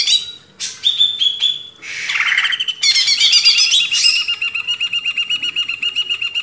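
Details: Greater green leafbird song from a master track for cage-bird training: sharp chirps and a buzzy swoop lead into fast chattering, ending in an even run of repeated whistled notes.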